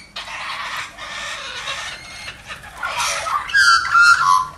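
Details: Pet lorikeet playing with a toy lorikeet: harsh, raspy screeches in quick bursts, ending in shrill, squeaky notes.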